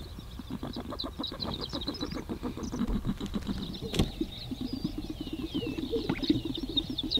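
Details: Male Greater Sage-Grouse display on a spring lek in southern Wyoming sagebrush steppe at dawn, inflating and popping their yellowish air sacs: a steady chorus of low rumbling pops and swishes, thin high chattering above, one sharp knock.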